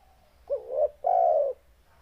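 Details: Spotted dove with a deep, bass, loud voice: one phrase of a short hooting note, a rising coo, then a long steady low coo, on a quiet background with faint low hum.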